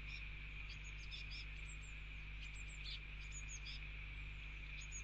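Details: Eurasian blue tit fledglings begging their father for food at a garden feeder while eating mealworms on a rainy day; thin, high chirps in quick clusters over steady rain hiss.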